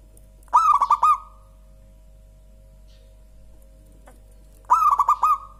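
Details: Two cooing phrases from a local zebra dove, its song called clear and soft: each a fast rattle of rounded notes easing into a brief hum, about four seconds apart, with a faint click between.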